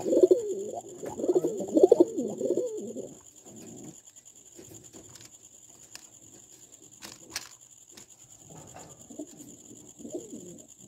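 Pigeons give low, throaty, rolling coos, loud and busy for the first few seconds, then softer bubbling coos return near the end.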